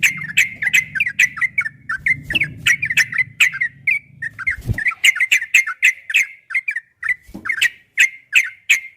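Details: Masteran of a yellow-vented bulbul, long ropel style, played so kept bulbuls reply: a steady stream of rapid bubbly chirps with crisp clicks, low hum under the first half, one dull thud.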